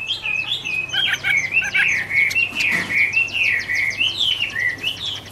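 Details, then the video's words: Garrulax canorus, the Chinese hwamei, singing in autumn: flowing, warbled whistled phrases that rise and dip continuously, with light chattering notes layered over a steady low background hum. "" Autumn Love Song " Bird Garrulax canorus Singing- Birdsong"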